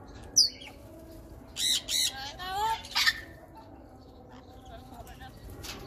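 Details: Pet African grey parrot talking non-stop. A sharp high whistle comes first, then a cluster of warbling, speech-like phrases with wavering tones around the three-second mark. Quiet background murmur follows.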